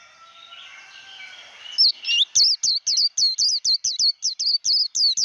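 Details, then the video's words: Voice-training recording of a wild-caught white-eye in 'líu đấu' chatter style; faint hiss gives way to loud, quick, high-pitched looping whistled notes repeated in an even, rapid series. "Vành khuyên líu đấu"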